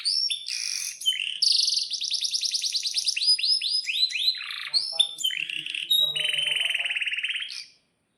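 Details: Canary in full song, used as a lure to set other canaries singing: varied loud bright phrases of chirps, a long rapid rolling trill, rising whistled notes and a buzzy low trill near the end.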